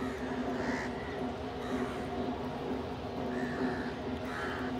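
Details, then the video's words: Crows gathered to feed together with pigeons; three spaced, raspy caws stand out, one early and two near the end, over continuous background drone and faint ticking. "Crow ki awaz naturally"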